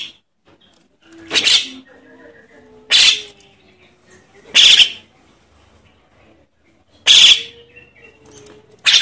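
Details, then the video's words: Javan myna nestling begging call, meant to lure adult mynas: five harsh, hissing rasps at irregular intervals of about one and a half to two seconds over a soft humming background. "Suara anak jalak kebo untuk pikat burung jalak kebo indukan"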